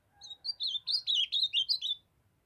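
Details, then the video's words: Young brown-plumaged ultramarine grosbeak singing in the Northeastern Brazilian style: a two-second burst of roughly nine clear, swooping whistled notes, with a faint low hum underneath. "Azulão jovem cantando fenômenal❤O lindo canto azulão do Nordeste"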